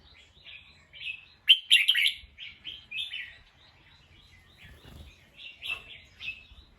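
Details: Alert bulbul reacting to a sound it heard, giving rapid chattering chirps and slurred whistles, with a loud harsh burst around one and a half to two seconds, then softer repeated notes.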